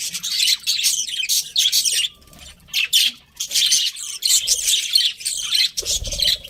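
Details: Pet budgerigars, a breeding pair, chirping in busy bursts of bright, scratchy high notes with squawky chatter, broken by short pauses and a faint fluttering sound.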